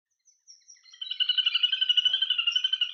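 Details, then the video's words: Little grebe giving its high, rapid whinnying trill, a fast even run of notes that starts after a few faint squeaks and continues steadily to the end. "Little Grebe Bird Call"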